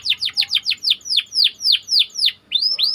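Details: Canary singing as a training model for young birds, a fast series of downward-sweeping chirps repeated about four times a second, slowing slightly, ending with two rising upslurred whistles.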